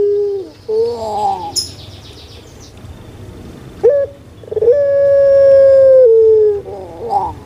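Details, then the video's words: Kept puter pelung dove used to prompt silent birds: wobbly gurgling notes, a pause, then a single sustained steady coo of about a second and a half before more quavering sounds. "PUTER PELUNG YG MALAS BERBUNyi"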